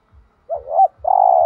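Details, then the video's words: One thúc gù phrase of a spotted dove in thổ đồng voice: a rising-and-falling wavering note, then a sustained steady coo cut off at the end. Soft low thuds sit beneath. "cu gay tho đồng thúc gù/ chim cu gáy giọng thổ đồng"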